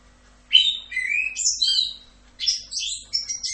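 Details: Orange-headed thrush in a full rock'n roll style tutor recording: after half a second of quiet, a rush of varied whistled and warbled notes, sliding between mid and high pitches with short pauses, over a faint steady low hum.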